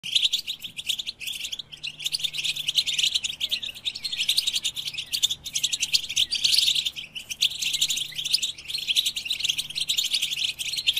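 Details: European goldfinch song: an unbroken stream of rapid, bright twittering and chirping notes with high tinkling trills, busy throughout with only a few brief pauses, with no low background sound.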